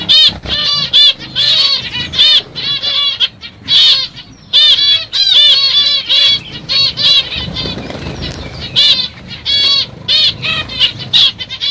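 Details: Several CFW black-cheeked zebra finches (pastel mutation) give a busy overlapping chorus of short, nasal, toy-trumpet-like beeps and buzzy notes, with faint wing flutters behind.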